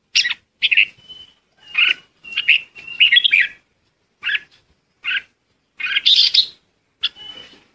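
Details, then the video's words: Red-whiskered bulbul calling the flock: short bright chirps and a few thin whistled notes, in bursts separated by brief silences, fairly high and clear with no other sounds. "Chim chào mào gọi đàn"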